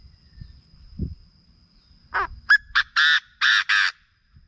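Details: Chinese francolin call, a recording played to rouse birds for decoy trapping: a burst of about six loud, harsh, grating notes in quick succession, the later ones longer and brighter, over a steady thin high whine.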